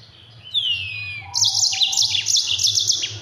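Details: Yellow-fronted canary, mozambik, singing a training song for other birds: a long descending slurred whistle, then a fast run of sharp high trilled notes with quick downward flicks, over a low hum.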